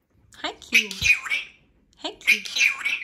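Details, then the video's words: Captive Brown-necked Cape parrot, male, talking: two short, squeaky, speech-like phrases with sliding whistled tones, separated by a brief pause, recorded indoors. "Brown-necked Cape Parrot Truman Talking"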